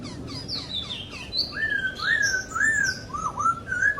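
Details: Masked laughingthrush in natural habitat: a fluent phrase of looping, rising-and-falling whistles repeated about every half second, overlaid by higher, thin chirps from another bird.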